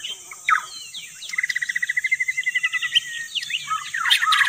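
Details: White-rumped shama song played as a lure: a few sharp notes, then a long rapid trill of even, repeated whistled pulses lasting about two seconds, ending in varied chirps, over a high hiss.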